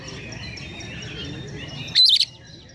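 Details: An Oriental magpie-robin gives one quick, loud burst of high, chirpy notes imitating sparrow chatter, with faint twittering and a low hum before it.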